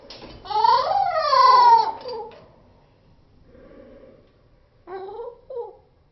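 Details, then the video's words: Cockatiel call slowed into slow motion: a drawn-out, deep, wavering cry rising then sliding down across the first two seconds, a quiet gap, then two short lower calls near the end. "Cockatiel sound 👻👻in slow motion"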